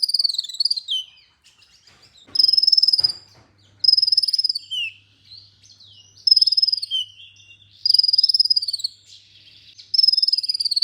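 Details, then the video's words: Olive-backed sunbird (kolibri ninja) singing in a masteran to prompt other birds: a string of very high, fast buzzy trills, each about a second long, alternating with brief sweeping slurred notes, with a faint low hum in the background. "MASTERAN merangsang KOLIBRI NINJA UNTUK PANCINGAN KONIN"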